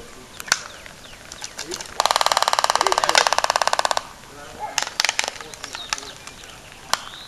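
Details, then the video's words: Laysan albatross courtship dance at Princeville, Kauai, Hawaii: a two-second run of rapid, dry, evenly spaced clattering bill claps, framed by scattered sharp clicks and snaps in a quiet outdoor setting. "Laysan Albatross Courtship Dance"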